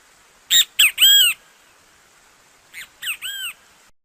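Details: Brazilian great kiskadee song: two clipped notes followed by a drawn-out arching note, then the same three-note phrase repeated more faintly; no other sounds.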